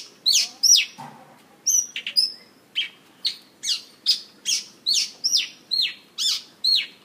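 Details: Mongolian lark performing on stage, singing and dancing: a steady series of bright, descending whistled chirps, roughly two per second, with soft background rustle and a faint low knock early on.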